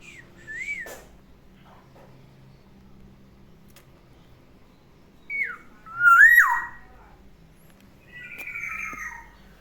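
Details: Pet black-naped oriole singing in the morning in captivity: an early arched whistle, then a falling note and a strong fluty phrase that rises before dropping steeply, ending with a raspy drawn-out note.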